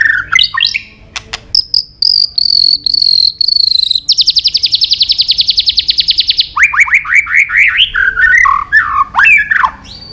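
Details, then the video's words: Long training song of a white-rumped shama weaving many forest voices: short whistles and clicks, steady high buzzy phrases, a fast even trill lasting over two seconds, then a run of rising sweeps and twisting whistles. "Luyện Nhiều giọng dài cho chòe lửa cực chất. chòe lửa kéo dây đảo nhiều giọng rừng. tạch đập đuôi"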